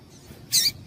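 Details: Single sharp, high-pitched chirp from a female yellow-bellied seedeater, the piado used to stimulate males to sing, with a low background hum.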